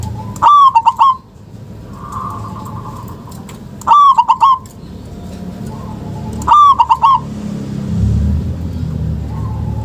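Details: Local zebra dove lure call meant to set reluctant doves calling: three bursts of rapid rolling coos about three seconds apart, a soft cooing phrase between, and low background rumble.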